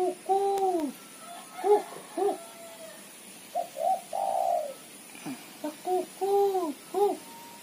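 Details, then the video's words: Female spotted dove giving its lively chattering ketrekan call, used as a lure; short arched coo notes in quick clusters of two or three, broken by brief pauses, over a faint steady high electronic whine. "suara tekukur betina gacor ketrekan / derkuku betina gacor cetrekan untuk pancingan"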